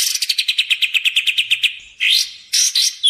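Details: Trapping and training lure of a sooty-headed bulbul: a steady trill of clipped notes that fades out, then two loud rising sweeps separated by a short pause.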